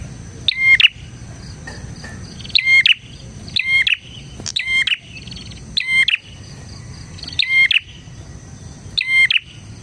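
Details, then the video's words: Energetic bar-winged prinia song for tutoring and luring prinias: about eight sharp, loud chirping phrases with ringing whistled notes, coming every second or so against a steady high hum. "suara burung PRENJAK GACOR isian 💯% cocok untuk MASTERAN PRENJAK dan Pancingan prenjak bahan"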